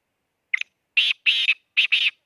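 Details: Black francolin (kala teeter) calling: one short harsh note, then a quick run of loud grating, rasping notes in pairs, all within about two seconds, with silence between bursts.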